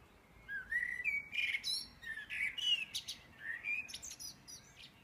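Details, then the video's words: Edinburgh birds at 4am on 9 May 2014: a lively series of short fluted, rising phrases with high chirps layered above, roughly four phrases a second, in quiet surroundings. "Edinburgh Birdsong"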